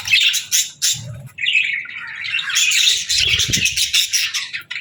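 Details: Parakeet chirping offered to comfort lonely budgies: bursts of bright, buzzy chirps give way to a steady warbling chatter through the middle, with a few soft low thuds near the end.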